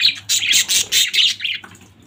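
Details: Budgerigar family chirping loudly: five or six harsh, rasping chirps in quick succession, about one every quarter second, then tailing off into quieter chatter.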